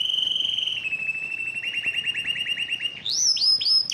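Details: A yellow canary delivers a level whistled trill that breaks into distinct rapid pulses, then jumps to high, sharp, repeated upward-swept notes.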